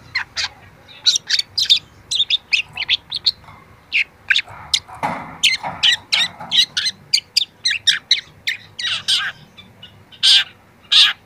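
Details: Long-tailed shrike, a young bird starting to show its mimicked repertoire, recorded for training other shrikes: a long, busy stream of high chirps, trills and scratchy notes, with a brief low rustle midway.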